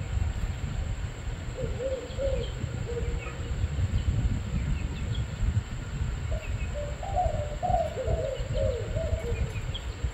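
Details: Spotted dove with a short coo phrase early, then a longer run of louder, bubbling coo notes after a pause, over steady low rumble and faint high hum.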